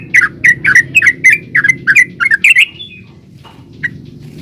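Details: Bubbly lure song of a yellow-vented bulbul for drawing out other bulbuls: a quick string of around thirteen rich warbled notes in two and a half seconds, then a pause broken by one lone note.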